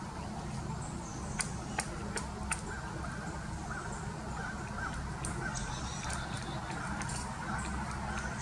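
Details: Pileated woodpecker knocking back bark while foraging for food at Alpine Groves Park, St Johns County, Florida; four sharp, irregular taps in the first two and a half seconds over a steady low rumble.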